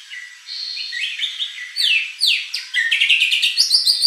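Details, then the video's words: Shama song to stir a contest bird into answering: high thin whistles give way to loud sweeping downslurred notes and a dense rapid high trill toward the end. "shama bird beautiful song performance"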